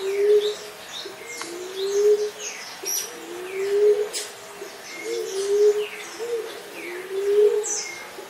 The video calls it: SUARA BURUNG | DELIMUKAN, LIMUKAN, PUNAI TANAH, TEKUKUR TANAH, EMERALD DOVE